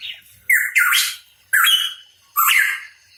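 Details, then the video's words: Hooded pitohui, locally cucak rawa papua, repeating loud squawking phrases that start low and rise with a rough, rich tone, three bursts roughly a second apart. "Cucak Rawa Papua Gacor | Pitohui Bird Chirping"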